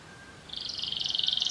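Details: Canary singing a rapid trill that starts after a brief quiet lead-in, steady high pulses accelerating slightly and growing louder through the phrase.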